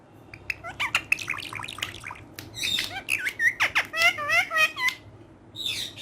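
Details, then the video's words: Green talking parrot said to speak Urdu, playful with a person's hand indoors; a busy run of varied squeaks, chirps and whistled, speech-like rising and falling phrases in quick succession, loudest toward the end. "Urdu Bolne Wala Tota || Green Talking Parrot"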